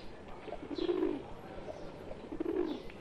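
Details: Two low rolling coos, a second and a half apart, from a group of Indian pigeons, a pet bird among wild pigeons, over a faint background hiss.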